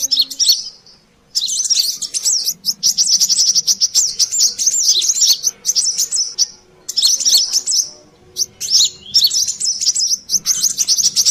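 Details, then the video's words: Noisy chattering of a brown-throated sunbird (sogon) meant for luring birds: long runs of very high, fast trilled and slurred notes in several bursts, with a few short quiet gaps. "suara pikat burung Kolibri Klapa/sogon ontong ributt"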